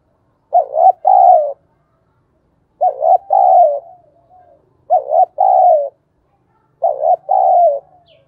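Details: Decoy spotted dove calling in the thúc bổi style: four cooing phrases about two seconds apart, each a quick double hoarse note followed by a longer drawn-out coo that falls at the end. The background is quiet.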